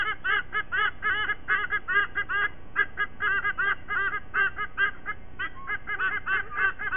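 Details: Sydney nest of a white-bellied sea eagle, Australia, 07:45 on 5 October 2023: steady series of quick honking, arched notes, two to three per second, loud and goose-like throughout.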